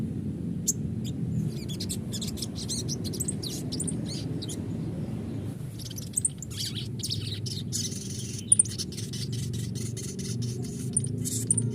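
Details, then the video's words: Sogon recording used as a lure to draw song from another bird. Scattered sharp, high ticking chirps come in loose clusters over a constant low rumble. "pancingan sogon bahan agar rajin bunyi dan ngalas,sogon bahan auto nyaut"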